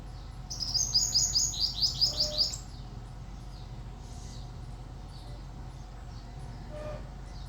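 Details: Tiny black sparrow with shining wings singing a quick run of about ten high, thin notes, each sliding downward, over two seconds, then falling quiet against a steady low hum and faint distant chirps.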